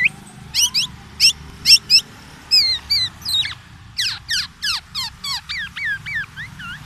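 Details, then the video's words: Black-naped oriole in full song packed with mimicry of the oriental magpie-robin, used to challenge other orioles: sharp, high chirps in quick bursts, then a run of rapid downslurred notes and looping whistles, over a low hum. "MASTERAN KEPODANG EMAS,black naped oriole , FULL ISIAN MURAI BATU"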